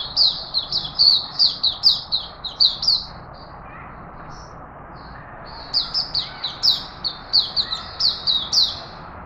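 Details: Captive Straw-headed bulbul in Singapore, 11 September 2020, singing assertively yet relaxed to make its presence known: a fast string of bubbly descending whistles, a pause of about two seconds with soft notes, then another vigorous burst.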